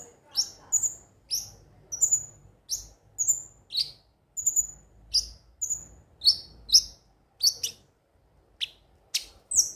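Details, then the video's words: Crimson sunbird (konin), used as a lure to stir birds into singing daily: sharp, high whistled notes, many sliding downward, delivered in short bursts roughly every half second, with faint low background hum. "pancingan suara burung KONIN agar rajin bunyi tiap hari"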